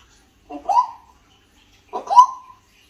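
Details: Pet African grey parrot indoors, talking in Malayalam and saying "I love you" to a person: two short voiced utterances about a second and a half apart, each a rising, speech-like syllable cluster, in a quiet room.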